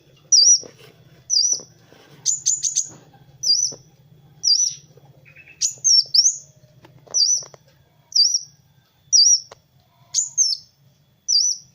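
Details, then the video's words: Masteran recording of a Kowul sunbird for tutoring other songbirds: a regular string of piercing high whistled notes, each bent down then up, about one per second, a few given as quick pairs, with faint background hum. "SUARA BURUNG MASTERAN Kowul (Kolibri Wulung) GACOR"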